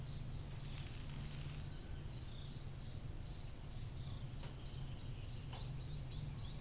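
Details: Scaly-breasted munia giving short, high, thin chirps repeated about three times a second, over a steady low rumble and a constant high insect-like whine; used as a call-in sound for trapping.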